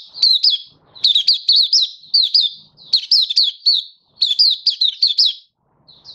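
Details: Malaysian white-eye kept as a songbird in Singapore, stable warm sunny weather, 20 March 2023, in buka song: continuous high jerky chirps, rising and falling quickly, in four lively bursts.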